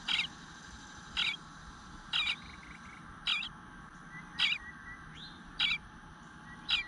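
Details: Nestling eastern bluebird in the nest whining to be fed, recorded 9:10 am on 25 June 2022; scratchy high calls repeated roughly every second, seven in a row, with a faint thin whistle in between.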